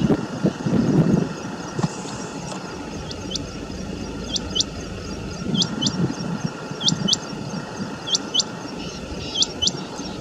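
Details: A rain quail in grassy shrubs at Jhanjrola village, Gurgaon, Haryana, answers another rain quail nearby, recorded from a car. It gives sharp, high metallic double notes every second or so over distant traffic rumble and a steady hum.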